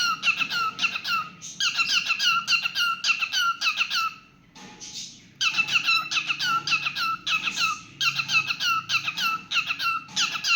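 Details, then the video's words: Long spell of pet cockatiel song: fast, squeaky whistled notes in dense runs, interrupted around the middle by a soft breathy pause, then vigorous chirping again. "Adorable Cockatiel Milo's Cute Singing Moments"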